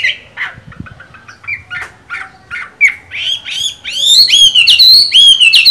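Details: Chinese hwamei kept as a cage bird, still in good form during its moult: short spaced chirps give way to rapid loud whistled phrases, sweeping upward then sliding into clear, ringing, sustained notes near the end.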